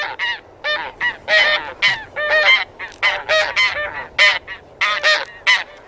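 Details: Taiga bean goose producing rapid, loud, nasal honks, around seventeen in six seconds, often overlapping and suggesting several birds calling together, with a low hiss behind them.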